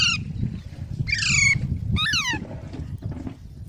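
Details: Baby parrots give two rasping squawks that drop in pitch, the second sharper and steeper, over a steady low background rumble.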